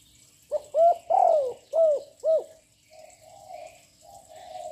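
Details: Loud-voiced young spotted dove calling nonstop to stir up rival doves: four strong, hollow, arched coo notes in quick sequence, the second drawn out and falling, then quieter muffled cooing trailing off.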